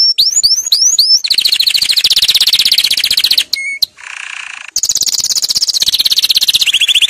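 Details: Canary tutor song for young birds: a series of hooked upslurred chirps runs into a long rapid roll, then a brief whistle and a harsh buzzy burst, before another fast high roll resumes.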